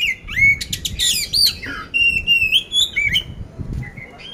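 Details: Ready-for-competition poci oriental magpie-robin in Magelang, Central Java, delivering rough-filled song: clear slurred whistles rising and falling, interspersed with rapid harsh chattering notes, loud and continuous throughout.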